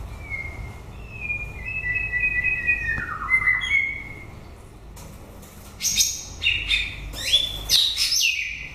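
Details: White-rumped shama in full song at the end of the breeding season: clear whistled phrases sliding down, a pause, then a rich burst of varied high whistles, trills and sweeps.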